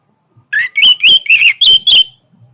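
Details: Energetic orange-headed thrush song, a short phrase of loud whistled notes opening with a low slurred whistle and followed by five sharp, bright chirps in quick succession.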